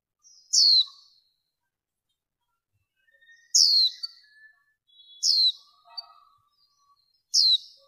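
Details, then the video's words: Female warbling white-eye used as a male-attracting lure, 2023: four loud, high, downward-sweeping chirps spread over eight seconds, with soft, lower bird twitters in the background. "Tiếng Khuyên Mái Mới Nhất Kích Trống, Bổi Cực Căng Mở Là Tới | Tiếng Vành Khuyên Mái"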